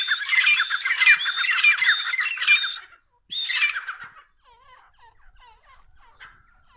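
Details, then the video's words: Pair of Dakhni Irani grey francolins calling: loud, harsh, squawking phrases repeated rapidly for about four seconds, then faint, softer curved notes. "Top dakhni Irani Tetar pair sounds"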